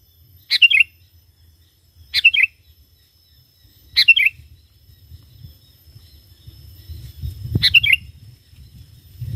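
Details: Lure recording of an energetic sooty-headed bulbul: four bright phrases of rapid, downward-stepping notes, roughly every two seconds, with a low rumbling noise rising toward the end.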